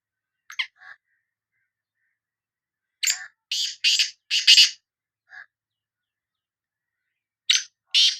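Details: Sindhi black francolin giving its bular call: a few soft clicks, then a loud phrase of four to five rasping, broadband notes, a brief lower note, and the start of another harsh phrase.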